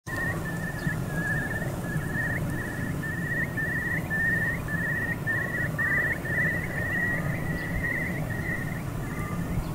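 A Eurasian curlew gives a steady series of short, bubbling whistled notes, about two each second, over a strong low rumble of wind or distant traffic.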